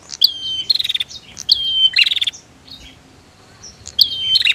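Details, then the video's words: Female versus male Bar-winged prinia: three clusters of high, slurred notes and buzzy trills, separated by a longer quiet gap before the last call. "Suara Prenjak betina VS Prenjak Jantan"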